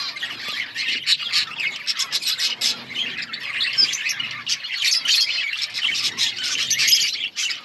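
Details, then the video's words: Budgerigars chirping in an outdoor colony, a busy stream of squawky chirps and rapid chattering notes from many birds overlapping throughout. "Budgies chirping sounds in outdoor budgies colony"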